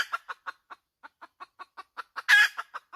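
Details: Steady series of clipped clucks from a hen, about five per second, climaxing in one loud, drawn-out harsh squawk near the end.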